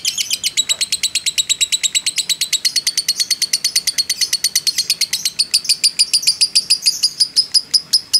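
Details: Fighter lovebird's long ngekek for luring other birds: a steady, rapid, shrill trill of crisp notes that slowly gets a little slower and more ringing toward the end, with nothing else audible.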